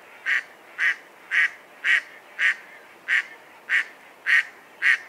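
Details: Mallard duck giving nine short, harsh, nasal quacks in a steady series, roughly two per second and of even loudness, over a faint, constant background hiss.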